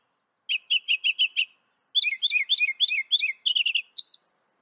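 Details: Northern mockingbird song, North America: a run of five even chirps, then a jumble of buzzy downslurred notes repeated rapidly, ending in a single drawn-out whistle.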